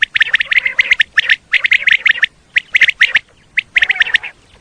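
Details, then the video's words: Common quail calls played to lure quail for hunting in Pakistan: clusters of short, harsh chirping notes in quick bursts, repeated with brief pauses, a few higher clicks between them. "Common Quail Call 2025-2026 صوت السمان واضح للصيد Batair Ki Awaz"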